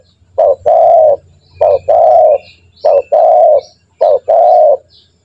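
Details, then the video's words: Spotted dove lure sound for training birds to call fast: four evenly spaced phrases, each a short note and then a long, level, hollow coo, repeated about once a second, against faint low hum. "Pancingan burung tekukur gacor, melatih burung tekukur agar cepat bunyi"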